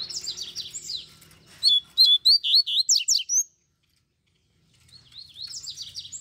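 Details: Two caged double-collared seedeaters in hand-held cages sing alongside a free wild bird; a fast run of sharp, high notes sweeping up and down, then a pause before another burst begins.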